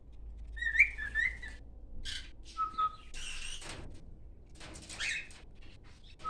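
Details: A male cockatiel sings because he is very happy, giving warbling whistles mixed with scratchy, raspy notes.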